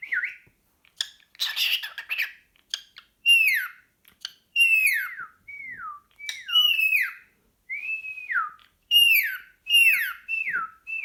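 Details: Pet cockatiel, a male turned hyperactive by the sight of a sock, chattering at it indoors: a lively stream of sliding, downward-curving whistles, some with rising starts, mixed with a few brief scratchy chirps, repeated roughly every half second.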